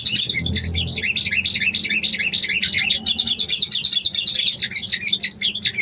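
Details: Female sooty-headed bulbul calling to attract the male: an unbroken stream of high, rapid, looping twittered notes, very busy and regular, with a faint low rumble beneath at the start.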